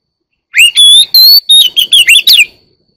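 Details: One-year-old white-rumped shama singing: a loud, clear phrase of bright whistled notes, some rising and some falling, followed by a quick run of sharp chirps, ending in a thin fading whistle.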